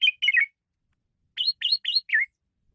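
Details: Asian pied starling song, recorded as a tutor track for training songbirds: two quick bursts of chattering, slurred whistled notes, the second burst rising in pitch and ending in a lower twisting note, separated by a second of silence.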